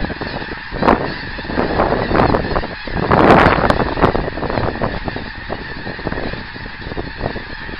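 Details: Geese in flight on 24 January 2010, a dense chorus of overlapping honks from many birds, loudest around the middle, over a steady broadband rush.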